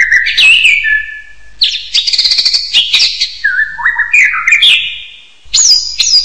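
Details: Hill myna mixing rich whistled slurs with harsh, buzzy bursts and a short pause before a final sharp whistle.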